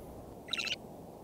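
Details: A Northern Shrike singing in winter near the Frazer Point parking lot, Schoodic Point, Acadia National Park, Maine, gives one brief phrase of scratchy, high warbled notes over a steady low rumble of wind or surf.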